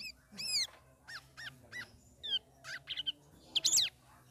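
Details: Caged sooty-headed bulbul, three weeks into communal hanging care, singing ngeriwik ngeplong with arched whistled notes, a few rapid chatters and a final bright warble over a soft low hum.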